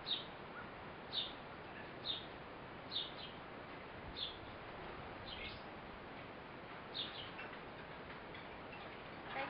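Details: A Eurasian blue tit parent feeds its fledgling. Short, thin, high chirps come singly about once a second, in a loose series of around eight notes, over a steady background hiss.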